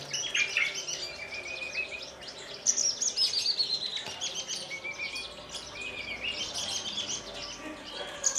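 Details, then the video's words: Horsfield's bush lark, a caged bird from Kulon Progo that hovers, lands on a perch stone and sings while fluttering its wings. It gives a varied, high twittering song with thin downslurred whistles and rapid scratchy notes. "KICAU DAN GAYA "BEGAWAN", BRANJANGAN TLATAH ASLI KULON PROGO"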